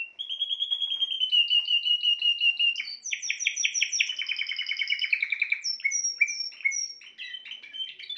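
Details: A Spanish timbrado canary sings a drawn-out bell-like roll, then faster chopped trills at several pitches and a series of separate downslurred whistled notes near the end.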